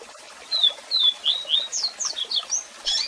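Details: Double-collared seedeater singing a strong, different song with calls, meant for song training: clear downslurred whistles repeated roughly every quarter second, climbing into quicker, higher twittering notes, with constant waterfall hiss behind.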